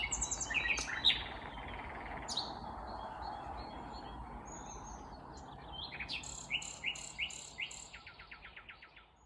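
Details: Nightingale singing unseen on the morning of 19 May 2021 at Kvarnbo, an Uppsala suburb, Sweden, where a vagrant Common Nightingale and Thrush Nightingales sang: rich, varied high whistles and fast repeated notes ending in dry clicks, over a low rumble.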